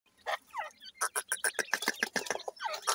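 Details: Grey francolin chicks calling: a rapid run of high, thin, sharp peeps, several per second, with a few short downward-slurred notes at the start and end.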